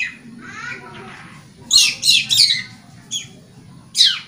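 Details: Long-tailed shrike singing, used as a lure to stimulate caged birds that have gone quiet, are stressed or young. Soft, muffled warbling comes first, then loud, sharp, buzzy bursts in a quick cluster, with two more isolated harsh notes after pauses.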